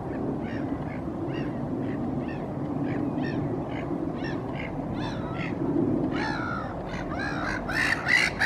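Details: Black-headed gulls calling in the background on sea ice at Helsinki, Finland, April 2023: harsh, nasal calls about three a second, growing louder and busier near the end, over a steady low rumble of wind and water.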